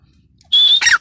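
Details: A grey francolin, described as a female, gives one shrill call: a high, steady whistle that breaks into a harsher, falling note, all within a second.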